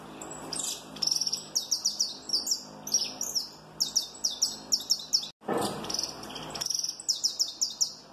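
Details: Giant-mutation Peruvian saffron finch sings a strong crackling song: fast series of high, sharp, downslurred notes and buzzy trills in quick phrases, broken by one brief pause near the middle. Steady hiss runs underneath.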